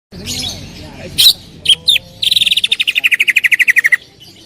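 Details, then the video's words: Greater green leafbird kept as a master-tutor bird, singing loudly: a few sharp whistled notes, then a fast rapid-fire series of about twenty clipped chips descending slowly in pitch. "Masteran cucak ijo gacor full tembakan suara keras"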